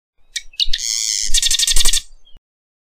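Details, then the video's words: Marsh wren (Cistothorus palustris) song: two quick introductory ticks, then a dry, buzzy chatter breaking into a fast, rattling trill lasting about two seconds, over a low rumble of wind. "Marsh Wren Song! Marsh Wren Call! Marsh Wren! - Cucarachero Pantanero Canto"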